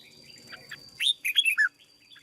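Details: Caged red-whiskered bulbul kept as a decoy bird and trained into fiery fighting form, giving one quick warbled phrase of four or five bright, slurred whistled notes, dropping at the end, over a faint steady electrical whine.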